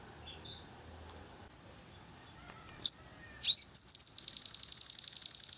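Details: Long-tailed shrike sound played to rouse birds into singing: a soft murmur, one sharp squeak, then a rapid run of loud, harsh, high notes repeated evenly about four times a second until the end.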